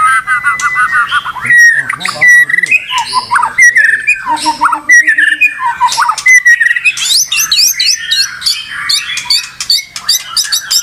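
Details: White-rumped shama, previously silent, bursting into excited continuous song: varied mix of rich whistles, harsh squawky phrases, rapid trills and sweeping notes, growing denser and higher toward the end.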